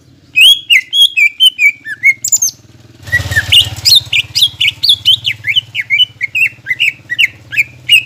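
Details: Greater green leafbird, a lure to make a caged bird sing: rapid sliding whistles, then a brief rushing noise, followed by a long fast chain of bright, varied notes over a low hum.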